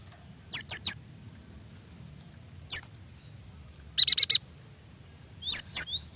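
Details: Yuhina song used as a lure to prompt young, newly caught or silent birds to sing; high thin downslurred notes in a triplet, a single note, a quick buzzy burst of four, then sweeping rising and falling whistles.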